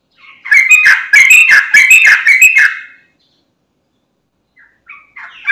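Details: Sooty-headed bulbul used as a lure for other bulbuls. It gives a quick burst of bubbly, chirping notes for about three seconds, goes silent, then starts a faint new phrase.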